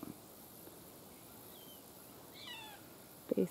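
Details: A juvenile Red-shouldered Hawk, at first possibly mistaken for a Cooper's Hawk, gives one brief, high, slurred descending call at CREW Bird Rookery Swamp wetland, Bonita Springs, Florida; the call helped confirm the ID. Quiet background hiss, then a short handling thump.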